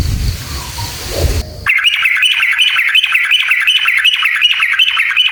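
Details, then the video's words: ['Long, fast chattering sooty-headed bulbul song, used to make other bulbuls sing excitedly. Low muffled noise opens the recording, then rapid repeated whistled notes rise and fall steadily.'] "SUARA trucukan gacor JITU NGALAS ROPEL PANJANG buat PANCINGAN agar burung trucuk gacor EMOSI"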